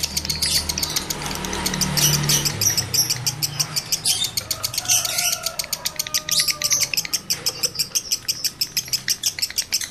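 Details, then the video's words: Male lovebird in breeding condition used to stimulate other males: high, rapid chirping that grows more regular toward the end, with scratchy squawks early on and a low rumble underneath. "Masteran Lovebird Jantan Birahi Tinggi || Pancingan Birahi Lovebird Jantan"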